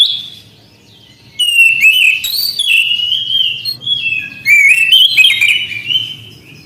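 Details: Orange-headed thrush song: varied whistled phrases with warbling slides and sudden upward sweeps, interspersed with scratchy chips, in two long bouts separated by a short lull; soft low background hum throughout.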